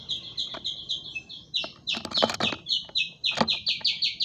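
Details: Greater green leafbird delivering a fast, steady series of harsh, buzzy high notes, about two to three per second, broken by a few louder rasping bursts.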